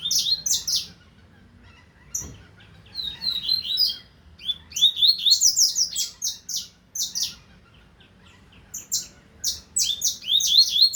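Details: Lively double-collared seedeater song from the 2025 season: repeated phrases of crisp high notes and rapid rising slurs, delivered in several bursts with brief pauses, ending in a dense run of clipped notes.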